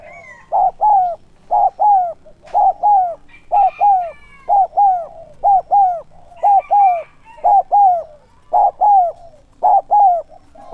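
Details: Caged decoy spotted dove calling to lure wild birds. A steady run of three-note coo phrases, two clipped hoots then a longer sliding note, repeats about once a second with little pause. A faint higher call sounds near the start.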